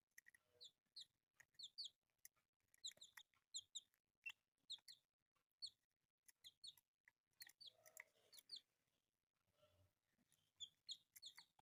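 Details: Colourful chicks kept as pets give soft, short, high peeps, repeated in quick clusters with several chicks overlapping, and faint rustling between calls.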